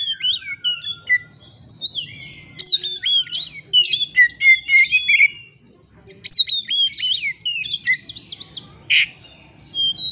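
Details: Oriental magpie-robin (kacer) song used as a lure to provoke a rival into singing its whole repertoire: rich, varied whistles, slurred rising and falling notes and rapid chattering bursts, continuous throughout, over a faint low background hum.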